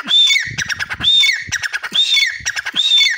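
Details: A grey francolin in Pakistan, calling from the door of its cage, gives loud, harsh, ringing phrases, each a quick burst of clipped notes, repeating about once a second with no other sounds.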